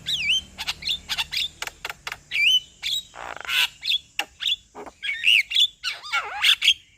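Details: Male Javan myna in full song to excite another bird: looping whistled notes and sharp clicks, a loud rasping burst mid-phrase, then swooping downward whistles.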